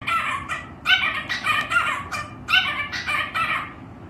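A cockatiel gives a run of harsh, raspy squawks, one after another, roughly twice a second.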